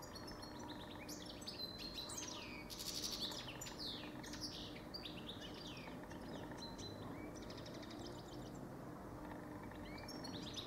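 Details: Goldfinch singing a lively, continuous twitter of rapid chirps, trills and slurred whistled notes. The song is busiest around the third second, over a constant low background hum.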